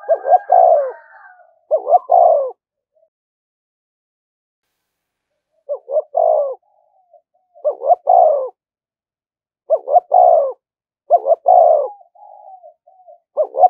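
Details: Decoy spotted dove calling again and again to provoke rivals to fight: paired short coos followed by a longer falling coo, repeated in phrases every one to two seconds after a pause.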